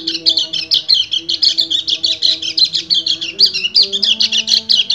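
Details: Male white-eye (kecial kuning) in breeding condition singing to call a female, in the rapid continuous ngecir style: a dense, unbroken run of high, fast chattering twitters, with faint low steady tones underneath.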